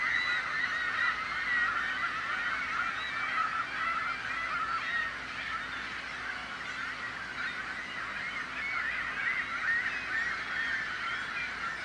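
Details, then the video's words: A noisy flock of gulls whose clamour serves to scare off prospective predators, with hungry young begging from parents; continuous overlapping squealing and mewing cries blend into an unbroken chorus throughout. "The Sound of Seagulls | Why Are Seagulls So Noisy?"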